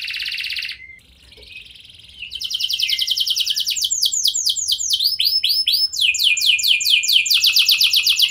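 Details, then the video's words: Canary in full song, used as a lure to make other canaries respond: a high buzzy trill, a short pause, then rapid repeated downslurred whistles that shift through several fast phrases. "Kenari Lain Langsung Respon Dengan Pancingan Kenari Gacor Lagu Istimewa Ini"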